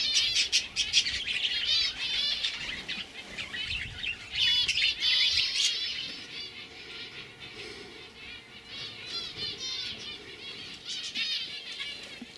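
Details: Group of young 2015 canaries in lively song: bursts of fast trilled notes and chirps, louder at the start, then softer twittering phrases continuing throughout.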